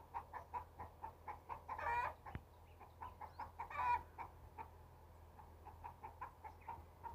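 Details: Rooster walking in a harvested paddy field, giving soft, steady clucks about three per second, with two brief louder rasping calls early on, over a constant low hum.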